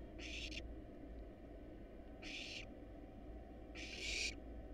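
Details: Wild barn owl young in a nest box, hungry at feeding time with a rat and a rabbit: three loud, broad rasping hisses, the last longest and strongest, over a low steady drone.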